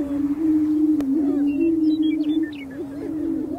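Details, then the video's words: Male greater prairie-chickens displaying on a spring lek to attract females: booming, a deep, hollow, steady moan held throughout, with overlapping low tones and scattered higher whoops and cackles above. "Greater Prairie Chickens On their booming Grounds - Mating Displays"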